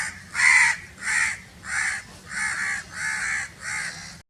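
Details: Six very loud, drawn-out crow caws, harsh and nasal, spaced evenly at roughly two-thirds of a second, the first the strongest.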